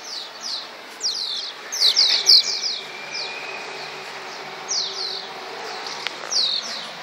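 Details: Flying swallows over the Tudor quarter of Csíkszereda give high, sharp twittering chirps in irregular clusters, busiest around the second second, over a steady faint whine and distant town background.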